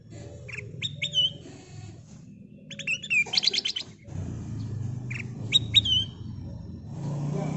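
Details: Lure song of the kutilang emas bulbul: scattered upslurred whistles and a dense burst of fast chirps, over a steady low rumbling hum.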